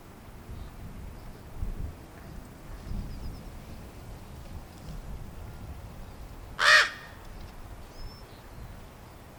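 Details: Young common ravens, hatched on 1 April 2022 and fledged on 15 May 2022, waiting impatiently for their parents to feed them; a single harsh, rasping squawk breaks a quiet stretch over low rumbling background noise.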